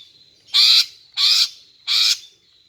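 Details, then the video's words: Greater green leafbird female luring males with her call: three evenly spaced, rasping, buzzy notes roughly two-thirds of a second apart, joined by a thin steady high whistle in the background. "Memikat dan Memancing Burung Cucak Ijo Jantan dengan Suara Betina Ini agar Gacor Mantap"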